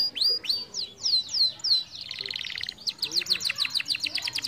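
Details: Canary song used to stimulate other canaries: a series of high downward-sweeping whistles, then a quick buzzy rattling trill, then rapid repeated chipping sweeps.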